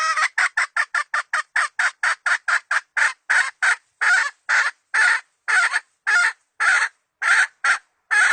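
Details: Decoy hen chicken for trapping, 2020 season, giving a long series of harsh, broadband clucks: rapid at about four per second for three seconds, then slowing to roughly two per second, each note abrupt and evenly loud.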